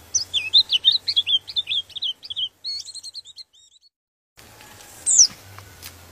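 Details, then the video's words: White-eye song meant to excite rival white-eyes: a quick rattling series of high chirping notes fades out, then after silence a single louder whistle sounds amid background noise. "Suara Pleci ini bikin Pleci Lain Emosi dan ikut Gacor"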